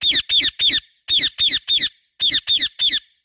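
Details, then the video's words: Loud chirping from a pet parrot, given in groups of three rapid harsh, scratchy notes, each group separated by a short pause, repeated three times. "Parrot Natural chirping sounds |parrot chirping sound | Parrot calling sounds |loud parrot chirping"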